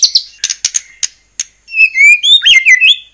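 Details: White-rumped shama in full song, used as a lure to provoke other shamas into singing: a few sharp high clicks and ticks, then a run of clear whistled notes, rising and falling, ending in a fast warbled flourish.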